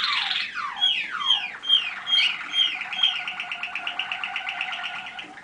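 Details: Young Waterslager canary hatched in 2010, heard at a song evaluation session on 25 November 2010: descending slurred whistles, then a row of clear repeated notes about every half second, flowing into a rapid watery rolling trill.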